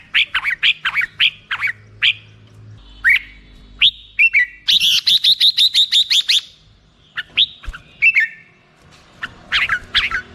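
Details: Black-crested bulbul song in Indonesia: quick bursts of chirpy notes around mid-high pitch, a fast run of short repeated notes midway, then scattered slurred phrases with brief pauses.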